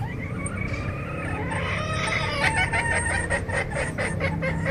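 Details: Flock of various chickens calling over steady background rumble, with a long drawn cackle and a run of quick, uneven clucks in the second half.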